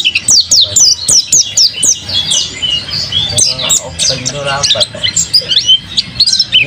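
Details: Mountain white-eye singing hard: a quick burst of sharp, descending high notes, then a looser, irregular run of chips and twitters at roughly one per second.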